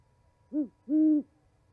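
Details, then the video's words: Deep owl hooting at a Montana osprey nest on 11 January 2020: one short hoot followed by a longer, sustained, level hoot, in near silence. "Hooties chatting"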